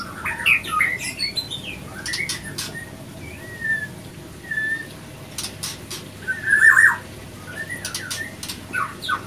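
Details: Male and female white-rumped shama clashing after an unsuccessful pairing; scattered whistles and a few rough squawks, with sharp clicks and pauses between phrases.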